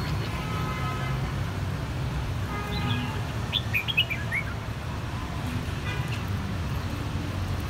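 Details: Red-whiskered bulbuls, three birds of one brood whose cheeks turned from white to red in a single season, singing a clear, neat bell-style song; a quick cluster of bright, rising whistled notes near the middle over steady low rumble.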